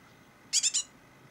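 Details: A rescued fledgling great tit chick gives three quick, harsh, buzzy high notes in a short burst, surrounded by quiet.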